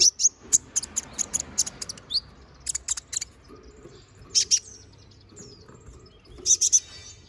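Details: Konin bird in full, lively song, recorded as a training song for magpie-robins: bursts of very high, sharp chirps in quick clusters, with short pauses between the groups.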